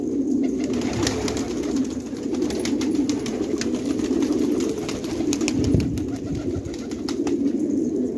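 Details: Village flock of Afghan fighting tumbler pigeons in Khanabad, Afghanistan: overlapping deep coos form an unbroken low drone, with scattered sharp knocks and a brief louder rustle midway.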